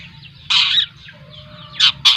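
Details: Two-month-old long-tailed shrike, a trotol bird from Lampung, uttering three loud grating bursts, the first long and scratchy, the last two short and close together, with quieter chatter between.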